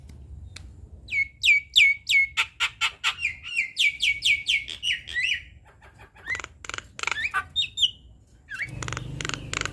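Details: Black-winged starling in full, constant song used as a master recording for training young birds: rapid series of bright, ringing notes with upward flicks, repeated about three times per second, then varied whistled phrases and a low hum at the end.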